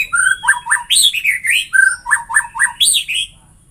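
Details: White-rumped shama singing, meant to set other shamas into full song: short whistled phrases with a repeated pair of falling notes, then higher sweeping whistles, delivered in quick succession, about four notes per second.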